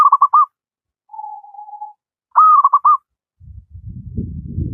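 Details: Wild local zebra dove singing actively, used as a master song for lazy doves: two phrases of a hooked coo running into a quick stuttering series of mid-pitched notes, separated by one long, even, level hum; low rumbling noise at the end.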